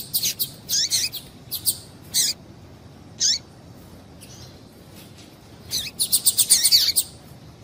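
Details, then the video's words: A female double-collared seedeater calling to excite males. Sharp high chirps come in bursts, then a pause, then a rapid run of tightly packed notes near the end, against a low hiss. "Piado de Fêmea de Papa capim Para Esquentar Papacapim"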